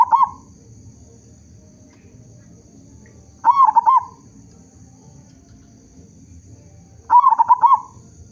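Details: Loud local perkutut, or zebra dove, song meant to lure other zebra doves into singing: a clipped phrase at the start, then two full rolling, stuttering coos about three and a half seconds apart.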